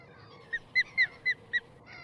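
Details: Osprey giving a short run of five ringing whistled notes, the first soft and the rest loud, spaced roughly a quarter second apart, ending in a weaker trailing note against quiet background hiss.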